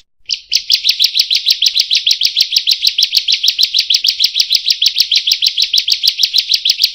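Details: Bar-winged prinia 'buka paruh' (open-beak) calls, played to stimulate and train other songbirds. After a brief silence, rapid high metallic chips start and run on evenly, roughly two per second, with a clean background.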